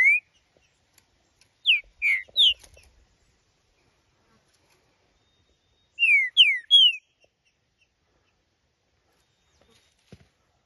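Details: Green-winged saltator held in the hand, singing: short bursts of three or four clear rising and falling whistled notes, a phrase near the start and another repeated after about four seconds of silence.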